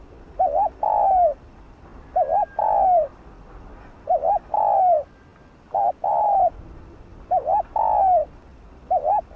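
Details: Caged lure spotted dove in the stimulating 'thúc gù' cooing style, repeating about six phrases at a steady pace; each starts with a brief undulating note and ends in a longer, soft, gently falling coo, against faint hiss.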